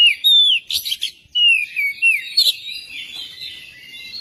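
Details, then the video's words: Magpie-robin song used as a lure to coax other magpie-robins into song. Quick whistled notes, falling slurs and scratchy bursts tumble out, then fade into a trailing, lower warble. "pancingan kacer biar cepat gacor dan ngobra"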